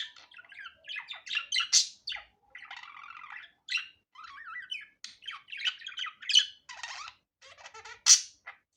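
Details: Unedited natural budgerigar chatter: a continuous, busy stream of squeaky chirps, scratchy buzzes and short whistled notes at varying pitch, with a few loud shrill squawks standing out.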